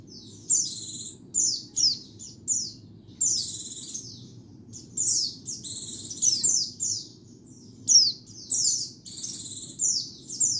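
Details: High-pitched white-eye song for luring birds, cleaned of surrounding noise: rapid bursts of thin downslurred whistles and short buzzy trills, packed closely in phrases roughly every second, over a quiet low rumble.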